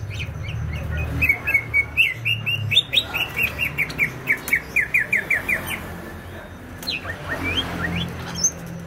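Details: [5, 'Vigorous song of a greater green leafbird from Banyuwangi, East Java: a long, fast run of sharp whistled slurs lasting about five seconds, then a pause and a few rising whistles.']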